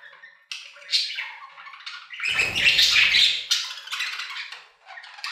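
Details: Budgerigars singing in an aviary trade chirps and scratchy twitters, rising to a dense, harsh burst of chatter midway before easing back to lighter notes.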